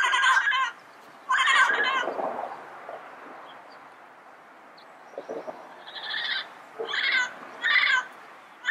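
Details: Yellow-headed parrot in its natural habitat: two loud rasping squawks, a quiet stretch with soft low notes, then a series of shorter, higher harsh calls.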